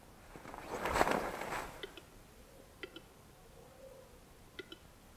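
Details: A male Western Capercaillie at a spring lek in Siberian taiga before dawn, among many displaying males, gives sharp, hollow double clicks at roughly one-second intervals.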